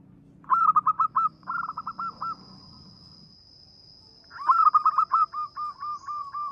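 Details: Zebra dove, local type, whose melodious small voice is used to lure birds. It gives two quick trilled coo phrases, a silence, then a fast burst slowing into regular spaced notes over a soft steady high hum.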